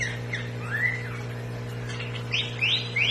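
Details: Sooty-headed bulbul, a rare batik-patterned form kept in captivity; a few slurred rising whistles followed by three quick, sharp upswept notes, with a constant low hum behind.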